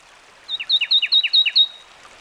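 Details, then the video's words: Fulvous wren singing one rapid phrase of six paired notes, each a high clear whistle followed by a lower downslurred note, lasting just over a second against soft background hiss. "Fulvous Wren Sound"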